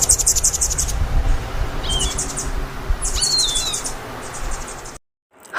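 Hummingbird giving very high, thin buzzy twitters in quick bursts, with a couple of sharp squeaky chips between them. A low rumble of background noise runs throughout.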